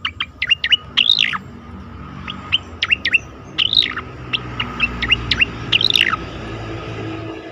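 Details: Asian pied starling song for training competition birds: spaced sharp whistled notes mixed with looping, rising-and-falling slurred phrases over a steady background hiss.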